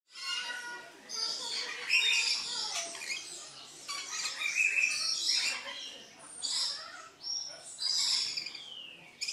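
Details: Red-collared lorikeet giving harsh, shrill screeches and chattering squawks in dense bursts, some short rising notes and a few clean whistled tones, calls overlapping with brief pauses throughout.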